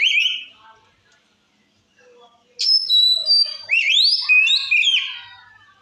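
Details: White-rumped shama singing to provoke other shamas: an opening whistle, a quiet gap, then a sharp note followed by ringing sustained whistles and rising slurred phrases.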